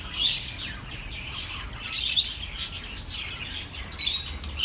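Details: Relaxing chirps for lonely caged birds, with loud bursts of shrill tweets at the start, then a busy run of overlapping chirps and squeaks, over soft low background noise.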